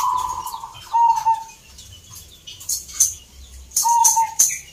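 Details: Zebra dove at a singing contest in Salatiga, Central Java; brief trilled coo notes open and close the passage, separated by a quieter stretch with scattered sharp clicks and faint background noise.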